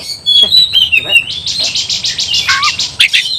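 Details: Short burst of oriental magpie-robin fighting song meant to provoke rivals: high whistled notes, then a rapid buzzy rattle of repeated pulses, ending with sharp chips.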